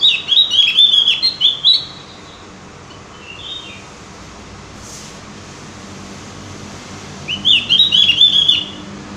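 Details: Javan grey-throated white-eye, also called cucak gentong, used as a lure to prompt birds to sing: two bursts of rapid high twittering, chattering notes, one at the start and one near the end, with a quiet stretch between.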